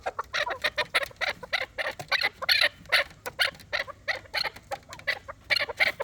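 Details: Fighting chukar partridge with a steady stream of rough, clucking chuk notes, fairly even loudness, repeated a few times per second.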